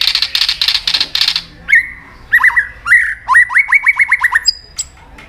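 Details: White-rumped shama song meant to make other shamas answer: a buzzy rasping opening, then clear whistled notes, then a run of quick downslurred whistles repeated about seven times, all fairly loud and close.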